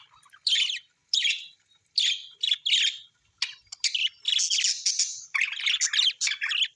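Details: Australian small birds give bright, scratchy chirping phrases in bursts of about half a second that come faster and run together toward the end, with no other sounds.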